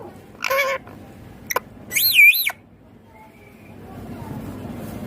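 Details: Pet green rose-ringed parakeet in its natural voice: two loud, harsh, wavering screeches about a second and a half apart, with a brief sharp click between them, then quiet room noise.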